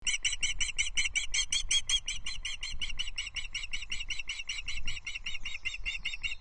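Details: Osprey chicks at a nest at Loch Arkaig on 20 June 2024, as the male brings a small trout and the chicks share it; rapid series of shrill, evenly repeated chirps, about four a second, steady throughout, with a low rumble beneath.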